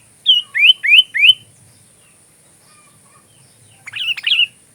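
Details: Sooty-headed bulbul singing, used as song-filler material for training magpie robins: four quick rising whistled notes in a row, then a short pause and a bubbly, warbling phrase near the end.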